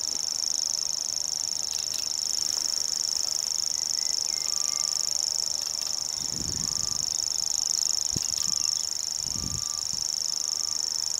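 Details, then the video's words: Common grasshopper warbler reeling: a very high, unbroken, insect-like trill held steadily for over eleven seconds, with faint soft thuds and a few brief thin whistles in the background. "Reeling Grasshopper Warbler"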